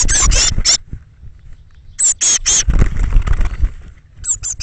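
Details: Thirteen young Eurasian blue tits leave their nest box early on 21 May 2017. Strident, high squeals in clusters of three, separated by pauses, over low scraping and fluttering noise.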